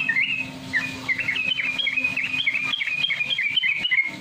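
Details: Sooty-headed bulbul (trucukan) lure song: rapid, bubbly whistled phrases of short notes tumbling up and down in quick succession, over a faint low hum.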